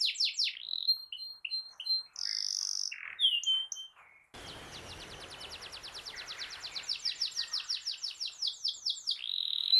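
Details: Canary song for coaxing a silent canary: varied sharp chirps and buzzy notes, a brief gap, then a long series of rapid, regular downward sweeps with faint background hiss.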